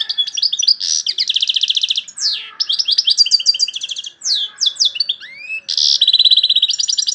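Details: A goldfinch sings strongly in long chattering runs of rapid, buzzy, repeated notes, broken by swooping slurs and a rising whistle, then a final dense trill.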